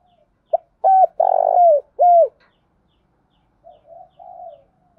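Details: Spotted dove decoy calling to urge a newly caught bird to call: one full loud phrase of a clipped opening note and three deep, falling coos, the middle one longest and buzzy, followed by softer, more distant coos.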